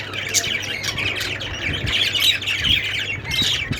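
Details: Budgerigar chirping: thick overlapping warbles and sharp squeaks from several birds, steady and bright, over a faint low hum and a few soft thumps.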